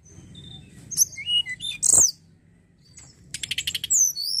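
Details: Snowy-browed flycatcher song used as a lure to stimulate singing: thin high whistles and short sliding notes, then a fast run of about eight sharp repeated chips, with a loud click midway.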